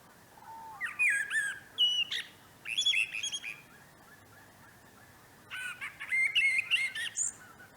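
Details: Spring song of a common blackbird in a northern no-dig vegetable garden, late March 2024: two phrases separated by a pause, each opening with mellow fluty warbles and ending in high, thin, scratchy twitters.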